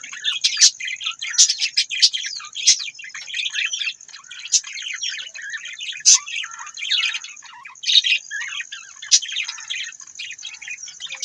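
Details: Budgies in continuous warbling chatter, with dense scratchy twitters and sharp clicks and chirps every second or so, plus a constant thin high tone behind them.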